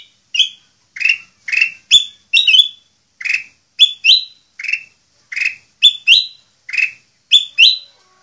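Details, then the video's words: Sooty-headed bulbul singing energetically in long-running song, giving a lively run of short, bubbly, slurred notes, several each second in uneven bursts, mid-high and clear against a quiet background. "Kutilang Emas Gacor Full Isian"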